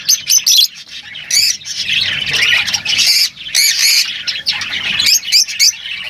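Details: Several lovebirds calling at once, harsh shrill squawks over continuous busy twittering, the loud bursts coming every second or so.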